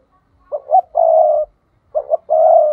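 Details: Spotted dove used as a decoy, 'thúc' calling to entice wild doves. Two close phrases of paired short coos leading into a sustained, husky coo, clear and loud.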